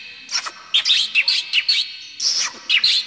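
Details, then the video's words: White-rumped shama, locally murai batu, in 'isian mewah' song meant as a tutor for young birds: a burst of high, sharp chirps and squeaky whistles in short clusters, a brief pause, then more piercing notes. "Murai Batu GACOR isian MEWAH"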